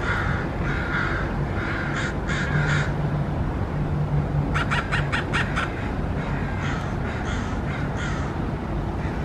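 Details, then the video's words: Crow making an unusual call: bursts of harsh, rapid clicking or rattling notes, several quick pulses in each series, over a steady low rumble of background noise. "Crow making unusual call"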